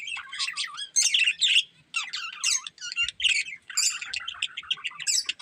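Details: Breeding pair of budgerigars chirping: rapid, busy warble of scratchy, high chirps and short squeaks in dense bursts, broken by brief pauses near one and two seconds.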